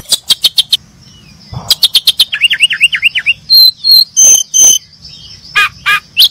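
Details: Brown-chested jungle flycatcher chirping: rapid ticking notes, a wavering trill-like run of looping whistles, then several longer level whistles and a few sharp high chips.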